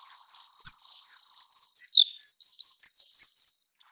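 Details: Plumbeous redstart of the Taiwan endemic subspecies affinis: a rapid, unbroken run of thin, high, jingling notes, several per second, with a few lower slurred notes mixed in, for nearly four seconds against a quiet background.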